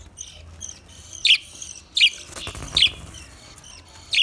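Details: Budgerigar chirps, sharp high notes about every 0.7 seconds amid faint warbling chatter, over a quiet low background hum.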